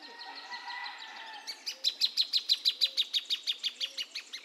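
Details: Faint mixed birdsong gives way to a Plain thornbird's loud, regular string of about sixteen sharp notes, close to three per second, with a soft low call repeating behind it.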